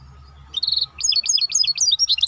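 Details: Maestro bird in song: a brief steady high note, a short pause, then a string of quick up-and-down chirps repeated in a lively, choppy pattern; low steady hum beneath.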